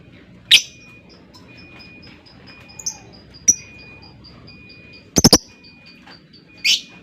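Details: Scattered high chirps from a lovebird with long gaps, including a quick triple burst near the end and a final shrill squawk, over soft background noise.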